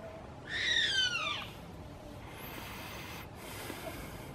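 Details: Chimango caracara perched on a pine branch about 15 metres up facing the sea at Playas Blancas on the Chilean coast; one drawn-out, harsh descending scream near the start, then steady background noise.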